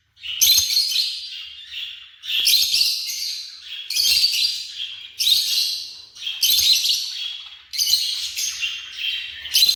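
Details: African lovebirds giving loud, harsh, high chirping in six regular bursts about every one and a half to two seconds, each a dense scratchy chatter fading before the next.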